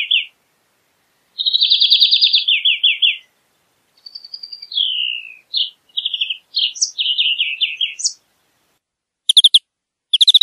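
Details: A European greenfinch sings outdoors, with a rolling trill followed by a falling twittered phrase, then scattered short chirps and quick trilled bursts with gaps between them. A few sharp high notes close the phrase.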